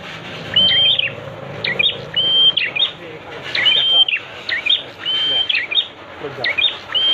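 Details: Master song for training prenjak, a prinia: about seven repeated phrases, each a sustained, high whistle ending in a burst of sharp, clipped chirps, delivered at an uneven pace.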